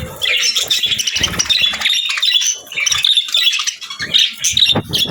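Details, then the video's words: High, fast budgerigar twittering with whistled squeaks and buzzy trills packed closely together, dipping briefly near the middle before resuming. "Soft Birds Chirping Sounds 🕊️🎶 | Relaxing & Soothing Budgie Sounds"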